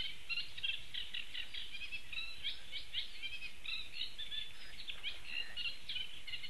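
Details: Eurasian Reed Warbler in Latvia on 4 June 2015, a steady, chattering song of scratchy, repeated notes, fairly faint, over a low rumble of background noise.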